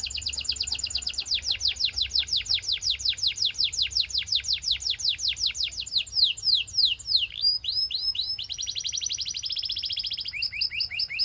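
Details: Belgian canary singing to prompt other canaries to sing: long run of fast, high downward-sweeping notes repeated many times a second, shifting into a buzzier rapid trill and then into different sweeping phrases.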